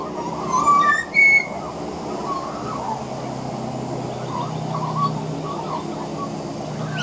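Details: Juvenile pied butcherbirds practising their songs: a short burst of pure whistled notes stepping upward near the start, followed by faint scattered warbles over a steady background hum. A juvenile magpie practising its carolling may be in the background.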